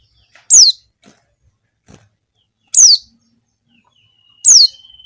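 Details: Female Javan white-eye calling to attract males, used as a lure; three loud, sharp, high chirps sliding steeply downward, spaced about two seconds apart, with a faint steady whistle-like tone after the last one.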